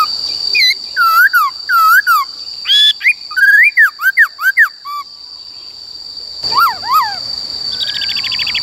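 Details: Caged laughingthrush singing wild-style song for teaching young birds: repeated arched whistles, a rapid rising and falling series, a pause, then two more arched whistles and a fast chatter, over a constant high tone.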